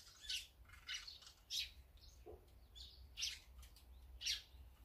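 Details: Feeding birds, a mix of azure-winged magpies, sparrows, great tits and brown-eared bulbuls, utter sharp high chirps spaced roughly every half to one second, with one lower brief note midway and soft background hum.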